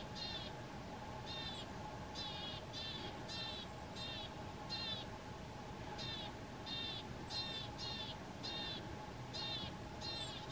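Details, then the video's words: Sustained loud singing of a marsh or willow tit by a feeder on 31 January 2022: steady series of ringing nasal notes, often in pairs, spaced under a second apart, with constant hum beneath. "Голос гаички"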